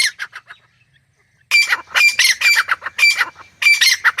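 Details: A Grey Francolin (Ortygornis pondicerianus) calls in loud, harsh, shrill bursts of quick syllables, repeated about twice a second after a brief pause. No other sounds stand out.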